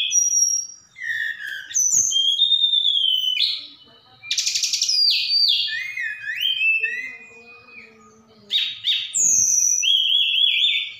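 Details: Javan bush lark from Sukabumi in full, lively song packed with mimicked phrases of other birds. A fast medley of high clear whistles, slurred rising and falling notes, and two dense buzzy bursts, with short pauses between phrases and a faint low hum beneath.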